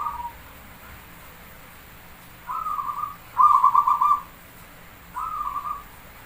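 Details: Lure song of a Javanese zebra dove (perkutut): soft purring coo phrases, the louder middle one a rapid beaded trill, spaced roughly two seconds apart, with a low steady hiss behind them.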